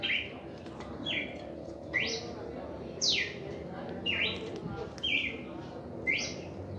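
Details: First reaction song of a red-crested cardinal: clear whistled phrases, alternately rising and falling slurs with flat notes between, delivered about once a second against low steady noise.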